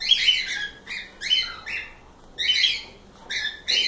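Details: Captive cockatiels giving loud raspy squawks in bursts, roughly five groups of harsh two-part chirps separated by short quiet gaps.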